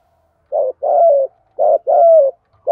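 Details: Spotted dove coos in the Thổ voice used to excite decoy birds; after a short pause, two paired phrases of a short hoot and a sustained, softly falling coo, another beginning as it ends.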